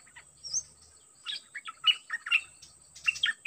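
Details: A decoy Dok Taeng bird is set out with a very aggressive wild-caught bird. A high thin whistle opens, then loud clipped chirps and warbled notes tumble in quick succession, over a constant high-pitched background hum.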